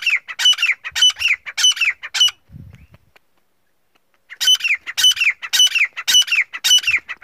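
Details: Black francolin male calling to a female: bursts of harsh, rasping notes with downward slurs about twice a second, broken by a roughly two-second quiet gap with a soft low sound, then resuming steadily.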